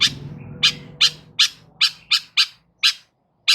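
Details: Long-tailed shrike (cendet) calling to draw other shrikes to answer: loud, harsh, raspy bursts repeated roughly every half second, each short and broadband, with a low hum beneath at the start.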